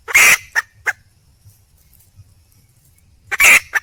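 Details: Hen red junglefowl calling for a mate: a loud harsh squawk followed by two short clucks, a long silence, then another raspy squawk with a trailing cluck.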